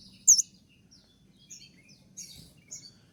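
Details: Konin 'tembakan' song meant as a training master for kept birds: one loud hooked whistle, then scattered faint high slurred notes over a low background hum.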